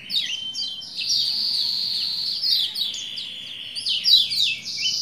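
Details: Continuous thin, buzzing high trill from a Lombok white-eye, broken by quick rising and falling twitters, played to spur a male into song.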